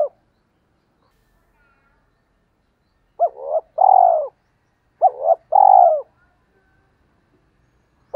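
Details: Spotted dove used as a decoy to attract wild doves, giving two phrases about two seconds apart, each a clipped double note then a sustained, falling coo, separated by long silence.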